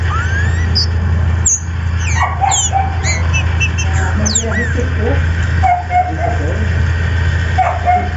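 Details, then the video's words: Captive-bred green-winged saltator in Brazil, played to prompt other saltators to sing, giving clear whistled notes and quick sweeping slurs in loose, irregular bursts over a loud, steady low hum like an engine. "SERÁ QUE O SEU TRINCA FERRO TAMBEM CANTA COM ESSE VIDEO"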